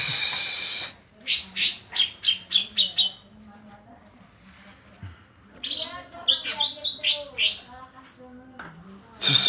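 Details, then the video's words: Greater green leafbird from Banyuwangi singing kapas tembak phrases: quick bursts of sharp high chirps and whistles in two groups separated by a quieter pause, with a low voice murmuring beneath. "Cucak ijo banyuwangi isian kapas tembak"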